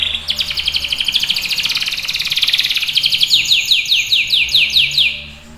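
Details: Canary in vigorous song: one unbroken, very fast high trill that widens into distinct downward-slurred notes after a few seconds, each repeated roughly four times a second, before fading.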